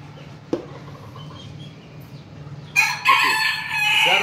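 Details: Crowing from roosters including a Sebright rooster: after nearly three seconds of quiet background with a single knock, a loud harsh crow bursts in and carries on rough and buzzy to the end.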